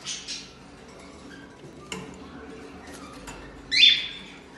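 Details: One of a pair of red-rumped parrots gives one short, harsh, high chirping squawk near the end, after fainter chirps at the start and light background noise.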